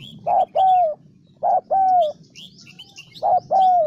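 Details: Decoy spotted dove from Vietnam's Central Highlands cooing: three two-part phrases, each a short low coo followed by a longer, slightly falling drawn-out coo, with faint high chirps of small birds in the background.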